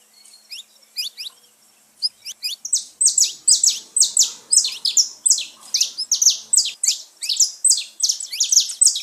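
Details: Song of a saffron finch, used to stir up caged pet birds, starts with a few sparse sliding chips, then builds into a dense run of loud, sharp, high notes repeated several times a second.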